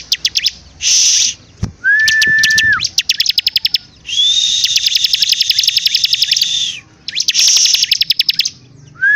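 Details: Bar-winged prinia in full, vigorous song: loud buzzy bursts alternate with rapid ticking trills and a steady whistled note held for about a second, with brief pauses between phrases.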